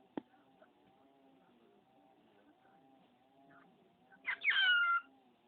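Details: Male pet budgerigar imitating spoken words and sneezes; after a low steady hum and one sharp click, a single strained, wavering voiced phrase with a falling tonal sweep near the end.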